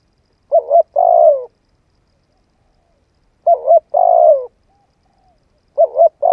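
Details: Spotted dove coos used to excite a decoy dove: a soft broken double hoot then a longer mellow coo, phrase repeated roughly every three seconds, nothing else heard.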